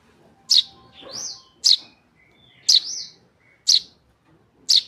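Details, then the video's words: Young tame Eurasian tree sparrow repeating piercing high chirps roughly every second, some followed by a short slurred rising-falling note. "Anakan burung greja jinak gacor"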